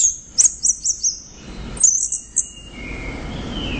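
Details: Orange-headed thrush with loud, energetic song: a string of very high, sharp chirping notes in two bursts, then a soft, long, level whistle fading out.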